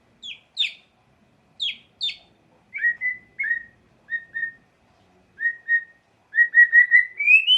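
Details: White-rumped shama song used to provoke emotion, mixing high sharp downslurred notes with lower paired whistles, building into a quick rising run of notes at the end.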